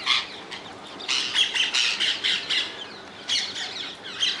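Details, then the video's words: Rose-ringed parakeets living wild in the Netherlands give harsh, screechy squawks in rapid clusters, a brief pause, then another run of grating calls. "Indian ringneck parrots in the wild, ringneck parakeets sounds"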